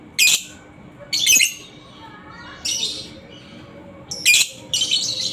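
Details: Lovebird, kept as a pet, calling as a lure to prompt other lovebirds into long ngekek song: five harsh, shrill, buzzy bursts, each under half a second, separated by pauses of roughly a second, in a quiet room.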